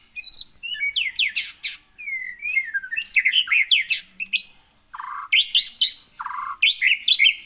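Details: Captive white-rumped shama from Pining in the Gunung Leuser region of Aceh, Indonesia, trapped in 2017 at Aih Ilang (Sungai Merah): a varied, rich song mixing swooping whistles, rapid sharp chips and lower buzzy phrases, delivered almost without pause.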